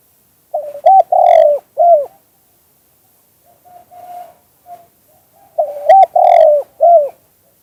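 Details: Two phrases of spotted dove song in the two-kuk-hoi style, each with quick opening coos, a long downward coo and a falling end note, separated by a few seconds of soft, faint cooing.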